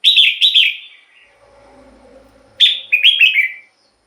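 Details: Red-whiskered bulbul song used as a lure or to get birds excited: two quick, liquid, warbling phrases separated by a pause. A faint low murmur fills the gap between them.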